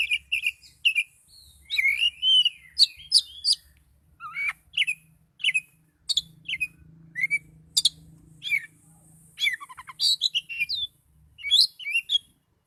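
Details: Highly agitated Oriental magpie-robin delivering a lively song of varied whistled notes, sharp upswept and downslurred chirps, and brief rattling bursts, phrases spaced irregularly over a faint low hum.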